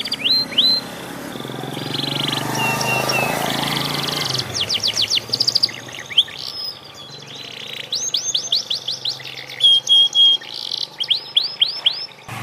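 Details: Practising Panda canary giving bursts of high upswept chirps in quick series, interspersed with short buzzy rolls and clear whistled notes, after a few seconds of broad rushing background noise at the start.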